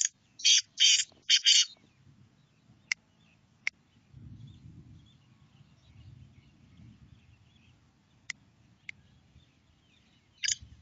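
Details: Black francolin, a grating series of three to four hoarse, broad-band notes at the start, then scattered ticks and soft low background hum, and the rasping notes begin again just before the end.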